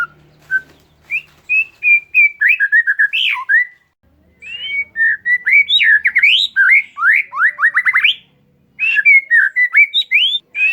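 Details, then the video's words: Lure song of oriental magpie-robin for a silent bird: bursts of rapid rising and falling whistled notes and sharp sweeps in long fast runs, separated by short pauses, with a faint low hum at the start. "Kacer Mogok Bunyi Tiba-tiba Gacor Isian Mewah"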